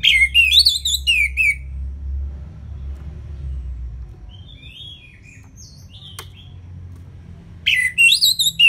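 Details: Orange-headed thrush, a caged songbird, gives a quick sequence of sharp whistled notes, falls quiet for several seconds with only faint distant whistles and a click, then resumes a loud phrase; low rumbling hum throughout.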